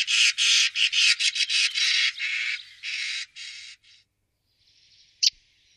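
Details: Common starling recorded in 2017 near Wittlich, Germany, giving a run of harsh, broadband, noisy bursts repeated rapidly for about four seconds, then a brief faint hiss and one sharp click.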